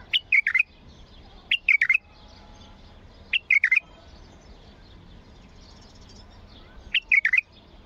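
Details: Bulbul singing a strong song meant to stimulate other bulbuls to sing. A short, bubbly phrase of three or four clear whistled notes repeats at irregular intervals of one to three seconds.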